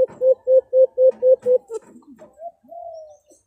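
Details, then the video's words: Brown dove calls used for hunting to lure the bird closer: seven quick, hollow mid-pitched hoots, about four per second, then a few softer, lower notes and a long, slightly falling whistled coo. "Brown Dove Sounds"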